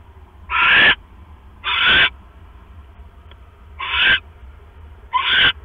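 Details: Owl at a nest late on the night of October 5, 2015, as the male brings a rat and the female settles back on her eggs; four harsh, hissing screeches, each under half a second, at uneven gaps over steady low hum.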